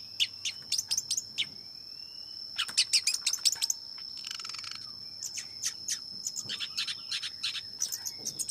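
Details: Long-tailed shrike song of quick high chips in irregular clusters, with a brief buzzy rasp and a faint rising whistle; a constant high-pitched tone persists in the background.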